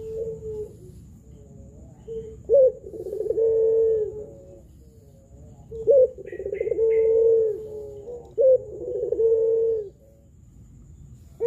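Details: Pelung-style spotted dove recorded as a lure for doves that are slow to coo or still learning. Three phrases each open with a short high note, bubble into quick trills and end in a long steady coo. Faint higher chirps are in the background.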